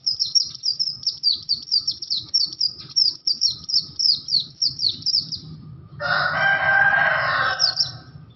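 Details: Oriental white-eye of the Bustomi (Buxto) type giving an unusual sound: a rapid string of thin, high, down-slurred chirps, about four per second, for five seconds. A brief harsh, broad rasping burst and one last chirp follow over a low hum.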